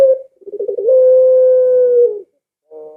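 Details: A Barbary dove sounding its lure call for doves at home: a brief note, then a trembling rolled lead-in that smooths into one long steady coo of over a second, and a soft further note begins.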